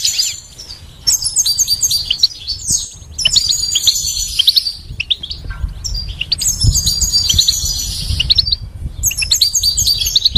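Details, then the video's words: A European goldfinch sings a fast, tinkling run of high twittering notes and liquid trills in bursts of a few seconds, with a low hum underneath. "goldfinch chirps and stimulates with attractive high-quality melodies"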